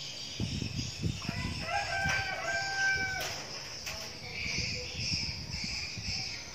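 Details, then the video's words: A young decoy red junglefowl crows once early on, a thin tonal phrase with a held final note, amid rustling, knocking sounds and continuous insect buzzing. "Gà mồi tơ"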